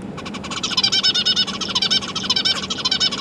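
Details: Zebra finch chicks, three juveniles and three newborns, being fed by busy parents, 12 December 2022: a loud, rapid stuttering run of buzzy nasal notes, about eight per second, over a constant low hum.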